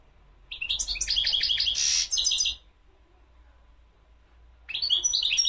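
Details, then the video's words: Singing European goldfinch: rapid, rhythmic twittering notes with a loud harsh buzzy burst midway, then a pause of about two seconds before the chattering song resumes. "تغريد الحسون مقنين"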